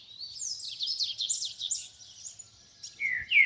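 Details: Double-collared seedeater singing in nature, a fast high warbling phrase of tumbling chirps, then a louder descending whistled note at the end.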